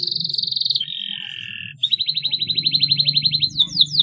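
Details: Lure song of a canary for encouraging young canaries to chirp. A rapid rattle drops into a lower buzzing roll, then a long pulsed trill and sharp downslurred notes over a steady low hum.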